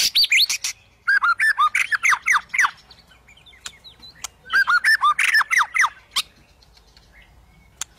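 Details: Song of a white-rumped shama, played to coax silent shamas into singing: rapid runs of curved, slurred whistled notes with sharp ticks, two long energetic bursts separated by a short gap, then fading off.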